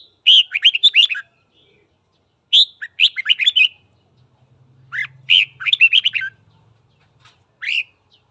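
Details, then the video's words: Lively morning song of a red-whiskered bulbul, recorded to train voices and provoke fighting: four quick, bright warbling phrases of rapid up-and-down notes, each about a second long, with near silence between. "Luyện giọng chào mào hót sáng kích bổi đấu"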